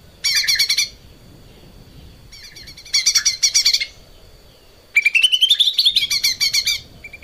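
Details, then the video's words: Lesser green leafbird on a cage-bird training recording, singing three loud, rapid, high trill bursts separated by brief silences, the last rising in pitch and running longest. "kicau cucak ijo mini gacor buat masteran"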